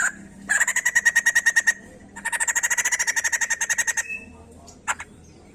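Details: Two bursts of rapid, harsh chattering notes from a white-crested laughingthrush, each over a second long, separated by a short gap, followed by a couple of isolated call notes; meant to stimulate other birds to sing.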